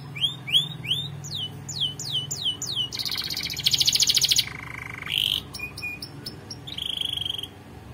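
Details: Canary singing for song training. It strings together upward-swept whistles, then a harsh buzzing trill and a low rolling phrase. Sharp high chips and a sustained whistled note follow, over a faint low hum at the start.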